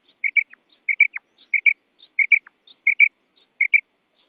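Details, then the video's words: Female quail (bedana), a call associated with quail hunting: six evenly spaced phrases, each two bright, short, high chips followed by a thin whistle slurring downward, roughly one phrase every two-thirds of a second, on a silent background. "Real Female Quail Call"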